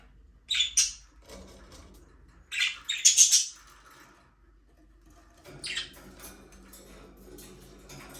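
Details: Budgerigars in a small aviary give short harsh chirping bursts in three clusters, with quiet gaps between them and faint low rustling underneath.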